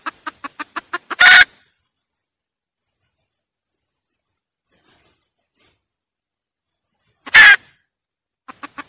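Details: Hen cackle for luring: a quick run of rising clucks ends in a loud, harsh squawk, then a long silence before a second squawk and a few more clucks.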